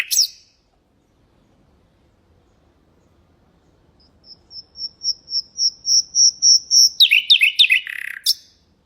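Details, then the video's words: Nightingale song for teaching goldfinches and canaries: a slow crescendo of about fifteen pure, evenly spaced whistled notes growing louder, ending in a rapid burst of varied dropping notes. "ساعة من تغريد طائر العندليب الحسنية لتعليم طيور الحسون والكناري بدون أخطاء"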